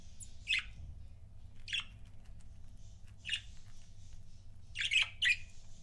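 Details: Pet budgerigars in couples make sparse, short squawky chirps, about five over several seconds, with faint high chatter behind and a low hum throughout.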